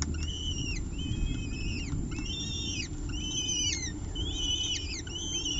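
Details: Nest-ledge peregrine falcon chicks, two healthy young, eating as the female tears off small bits of a delivered bird, 30 September 2018; continuous overlapping arched squeals in rapid series, dense and insistent, with low rumble underneath.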